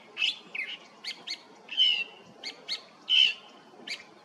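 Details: Wild California thrasher singing at Ascot Hills Park, El Sereno, California, on 19 December 2021. It gives varied high phrases, some buzzy, some clear whistled slurs, separated by short pauses, in a quiet setting.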